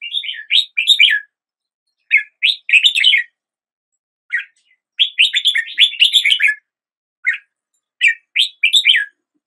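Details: A red-whiskered bulbul sings at daybreak, repeating short bright phrases of three or four rising and falling whistled notes, each group roughly a second long with pauses of about a second between.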